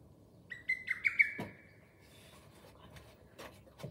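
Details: A lesser cuckoo calls once: a rapid burst of five sharp whistled notes, followed by a few dull knocks and handling thumps in otherwise quiet surroundings.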